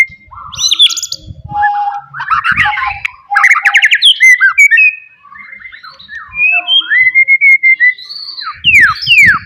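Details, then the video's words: White-rumped shama from the forest singing loudly to provoke rivals: long varied stream of harsh chatters, whistled slurs and fast repeated trills, with low thumping sounds near the start and end. "KICAUAN ASLI MURAI BATU HUTAN. MEMANCING EMOSI LAWAN"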